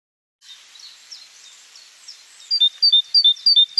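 Great tit song: a quick, regular run of high, ringing two-note phrases, 'teacher teacher', about three per second, after a soft background of faint chatter.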